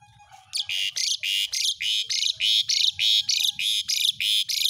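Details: Asian pied starling sound played as a lure so a young bird learns everyday sounds: harsh, buzzy squawks repeated about three times a second, a steady run of about a dozen notes.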